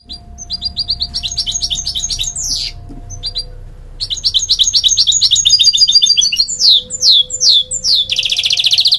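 A goldfinch hybrid sings a fast, rambling stream of bright twitters, trills and falling whistled slurs, ending in a dense buzzy rattle.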